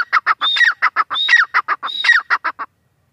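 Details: Grey francolin (teetar) calling: a loud, harsh series of rapid clipped notes interspersed with rising, squealing whistled phrases, about two and a half seconds of repeated rhythmic calling, clean background.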